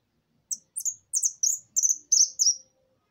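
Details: Saffron finch in maquina song: roughly eight high, sharp, descending chirps, some doubled, delivered in an accelerating series over about two seconds, with nothing else audible.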